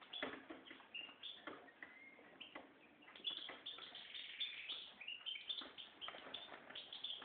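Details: Continuous twittering song from a red mosaic white goldfinch mule: rapid high chirps mixed with short rising and falling whistles, dense and busy throughout with hardly a pause.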